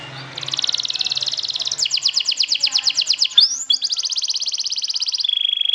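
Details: Canary song played to provoke other canaries and stir them to sing; fast, rhythmic trills of repeated high notes, switching between several trill types, ending in a steady high-pitched tone, with a faint low hum at the start.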